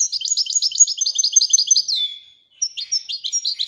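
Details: Moroccan European goldfinch singing Wedania song: a continuous fast trill of high repeated notes ending in a falling slur, a brief pause, then another rapid trill; no other sounds.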